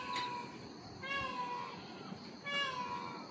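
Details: Indian peafowl near a hill homestay in Mungerjung village, North Bengal, around dusk, with many peafowl calling all around: three loud, nasal, meow-like wails about a second apart, each bending up then down, over a low background murmur.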